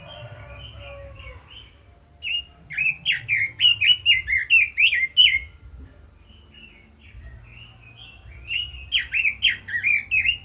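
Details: Red-billed leiothrix kept as a cage bird, singing energetically: after some faint notes comes a long series of quick, rich down-slurred whistles, a pause, then another burst of similar whistles.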